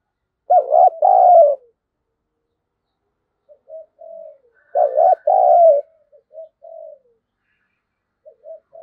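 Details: Lure spotted dove provoking wild rivals to fight; two loud cooing phrases about four seconds apart, each trailed by soft short coos, with quiet gaps between.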